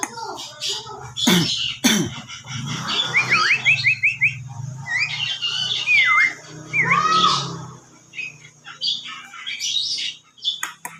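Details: Whistling Javan myna: a short trill followed by several clear, looping whistled notes that swoop up and down, with some clicks and knocks before and a quieter tail.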